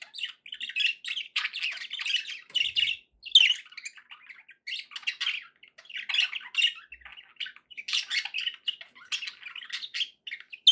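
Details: Budgies kept as pets warble steadily, a busy stream of squawky, buzzing and chirping notes in quick bursts with brief gaps, recorded indoors.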